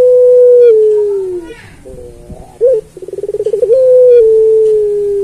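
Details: A puter pelung turtle dove sings to train other pelung doves: a long coo sliding slowly downward, a brief rising note, a fast stuttering roll of pulses, then another long sustained coo.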